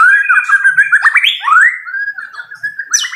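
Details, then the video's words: Caged white-rumped shama fighter bird singing loudly: rich varied whistled phrases sliding up and down, fast warbling runs, a rising sweep near the end. "MURAI BATU FIGHTER TEMBAKAN KERAS"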